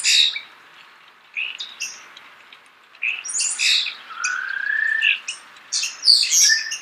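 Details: Starling singing close by in natural surroundings: scratchy, high chirps in bursts, with a smooth rising whistle in the middle and sharp squeaky notes toward the end.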